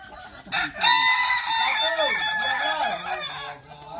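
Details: Kukuak Balenggek rooster at a Sawah Lunto practice crowing contest: a sustained, bright crow opening on a high held note, then sliding into several dipping, wavy arched syllables for about three seconds.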